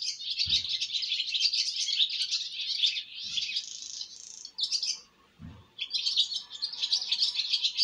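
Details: Fledgling swallows on their first flight from the nest twitter in a dense, high, scratchy chatter of overlapping chirps, almost continuous with one brief pause; a few low thumps are heard.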